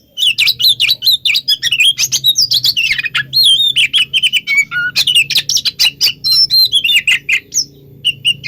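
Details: Oriental magpie-robin singing, a recording meant to provoke other magpie-robins into replying: a continuous fast stream of whistles, rising and falling slurs and harsh clicks, with a faint low hum beneath.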